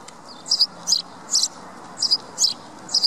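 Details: Sparrow giving sharp, high twittering chirps in brief bursts, about one every half second, with slight pauses between, over faint even background noise.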